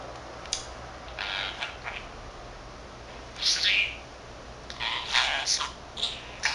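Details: Male pet budgerigar aged 13 months chattering alone: hissy, breathy mumbled syllables in irregular clusters with a louder scratchy burst midway, over faint steady room hiss.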